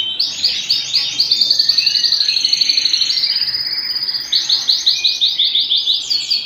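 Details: Canary singing indoors at home, delivering quick repeated chirping notes in a steady rolling series, pausing briefly before a second run of rhythmic high trills.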